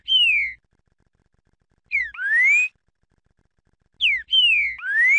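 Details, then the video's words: Green-winged saltator, described as a spirited 'fibra' bird, singing clear whistled phrases: a bright note sliding down, then a slurred whistle rising in pitch. Three phrases arrive about every two seconds over a faint low hum. "CANTO DO TRICA FERRO FIBRA"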